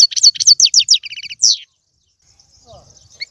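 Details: Song of a European goldfinch used to encourage a caged bird to sing, opening with a fast run of high, tinkling twitters and buzzy repeated notes, then falling quiet with only faint sounds.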